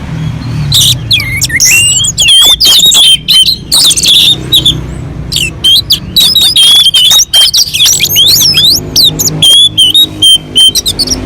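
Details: Orange-headed thrush song from a mountain slope, played to lure other birds into singing; dense rapid run of clear whistles, trills and squeaky notes, nearly continuous for eleven seconds over a steady low rumble.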